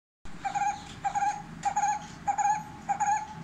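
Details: Brown-headed barbet calling loudly at a window: a throaty, mid-pitched note with bright overtones, repeated about every half second in a steady, pulsing series, with faint background hum.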